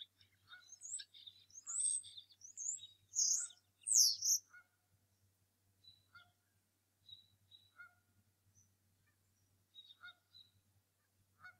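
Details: Angry adult male bald eagle defending the Decorah North Nest against an intruding eagle, morning, March 2018. A burst of loud, high, squealing chatter gives way to faint scattered chirps over a low steady hum.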